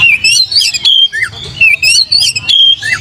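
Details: Oriental magpie-robin song played to provoke other birds into singing: loud, rapid whistled phrases with sharp rising and falling notes and short chips, in quick bursts separated by brief pauses, over a faint low hum.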